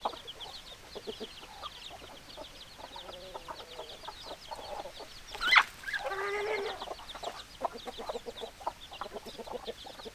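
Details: Hens clucking: a dense run of short, clipped clucks fills the stretch, with one sharp, loud burst near the middle followed by a longer, rougher, harmonic squawk.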